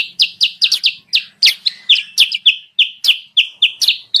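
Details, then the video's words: Sooty-headed bulbul lure sound for attracting wild birds: crisp, downward-slurred chirps repeated roughly every quarter second, loud and clean against a quiet background. "suara pikat burung kutilang sutra"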